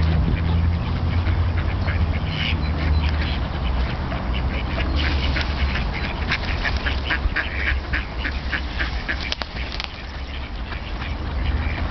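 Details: Wild ducks in winter on the Tourujoki, a small river in Jyväskylä, Finland, where hundreds gather on water kept unfrozen by a nearby paper mill; rapid overlapping nasal quacks in bursts over a steady low rumble.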